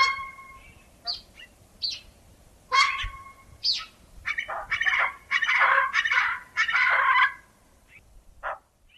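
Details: Common pheasant: scattered harsh call notes building into a dense, rasping burst of rapid cackling, then tapering off into a few isolated notes.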